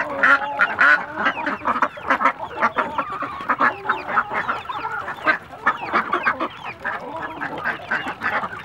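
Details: Ducks at Pawa, Panay, Capiz, giving dense, overlapping nasal calls from many birds at once, harsh and honking, with constant chatter and no pauses.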